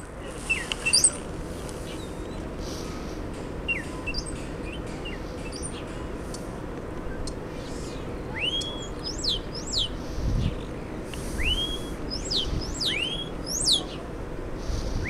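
Starling calls: a rapid jumble of sharp chirps, clicks and curving, slurred whistles, some sweeping down, over a steady low rumble of background noise.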